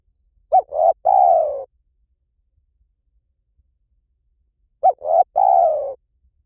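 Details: Spotted dove in the 'liu tan' calling style, used for training a dove to coo back. Two identical phrases about four seconds apart: a short hooked note, a rising coo, and a long falling coo, separated by silence.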